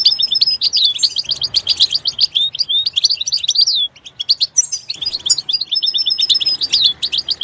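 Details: Goldfinch in its natural environment: fast strings of rising and falling slurred chirps and twitters, a short break near the middle, then another lively twittering burst.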